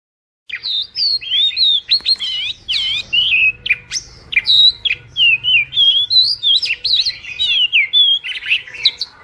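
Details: A white wagtail sings a lively, rambling string of high twittering notes and sharp chirps with quick rising and falling whistles over faint low hum; White wagtail (Motacilla alba), song.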